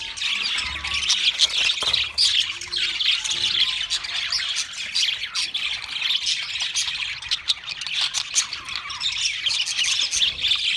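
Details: Group of kept budgerigars singing together: a steady, busy stream of high chirps, squawks and warbled twitters that runs unbroken for about eleven seconds with little variation in loudness.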